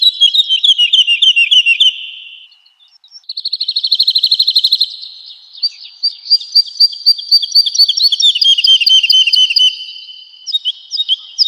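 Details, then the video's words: Woodlark training song for home and contest birds: falling phrases of quick notes, a pause, then a buzzy rapid trill followed by a long run of clear repeated liquid notes. "Woodlark Gacor | Suara Merdu, Speed Rapat, Tembakan Tajam"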